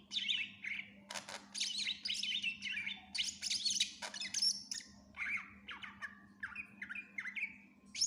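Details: Greater green leafbird in full song, a busy varied medley of whistled notes, chirps and harsh buzzy bursts, many quick rising and falling phrases with mimicked-sounding fragments, a steady low hum underneath.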